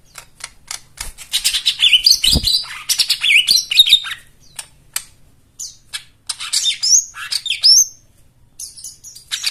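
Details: White-eye song, rich in mimicked 'isian' filler phrases, played to coax silent birds into singing: rapid high chirps and twittering runs with quick rising and falling whistled notes, in bursts separated by short pauses.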